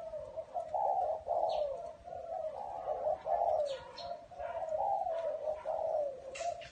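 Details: Repeated soft, throaty coos from a spotted dove in a small garden. About eight hollow notes come in a steady, rolling sequence, with a few thin, distant bird chirps behind.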